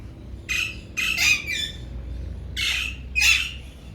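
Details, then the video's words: Male Alexandrine parakeets from a breeder pair, kept as talking parrots. Four loud, grating squawks arrive in two pairs over a faint background hum. "Raw Alexandrine talking male parrots parakeet"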